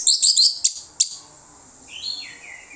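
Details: Orange-headed thrush song played as a lure so other birds answer: a burst of loud, high, scratchy chirps, then a soft whistled phrase sliding downward.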